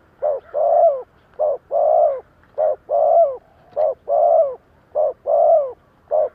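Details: Decoy spotted dove cooing, kept to lure wild birds: a short note, then a longer, full coo that dips at the end. The pair repeats about every 1.3 seconds, five times, with faint outdoor hum beneath.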